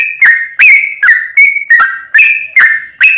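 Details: Lure song of a sooty-headed bulbul in 'trucukan' style: about eight clear whistled phrases in three seconds, each opening with a sharp snap and then either holding level or falling in pitch.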